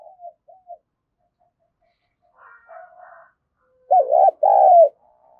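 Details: Spotted dove calling in the 'thúc gù' manner to rouse newly caught birds: faint scattered coos at first, then a loud pair, a short burry note followed by a longer descending one.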